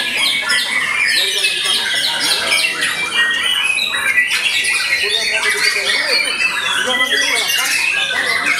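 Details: White-rumped shama, recorded after moulting, pouring out a long energetic song of rapid varied notes: crisp high whistles, buzzy chatter and quick downslurred phrases tumbling over one another without a break.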